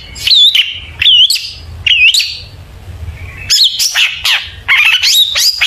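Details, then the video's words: A long-tailed shrike sings energetically with mimicked phrases, used as a lure to make other shrikes sing: three rising-falling whistled notes about a second apart, a pause, then a jumble of squeaky high chirps and trills. "burung cendet gacor FULL ISIAN BONGKAR JITU, PANCINGAN CENDET AGAR BUNYI jadikan BURUNG PENTET GACOR"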